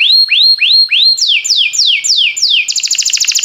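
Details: Canary song recorded for training canaries. Clear whistled notes rise one after another four times, followed by five sharply falling slurs, and the phrase ends in a rapid, high, pulsing trill.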